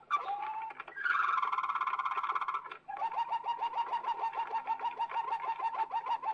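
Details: Waterslager canary, old record from Belgium, singing a short low note, a loud buzzy rolled trill, then a long rhythmic run of low gurgling water-like pulses about three per second, with faint hum.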